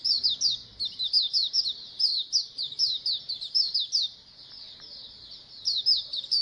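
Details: Colony of Oriental white-eyes singing together, played to encourage kept birds to sing more: dense, overlapping high thin chirps and twittering trills in quick rising-falling runs, nearly continuous with a brief lull near the end.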